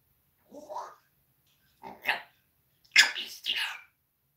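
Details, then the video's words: Pet parrot, a swearing talker, chatting with its owner on a live stream indoors: four short harsh, raspy word-like bursts with strong high tones, spaced by brief pauses, in a small quiet room. "Попугай матершинник говорит с хозяином в прямом эфире попугай ругается"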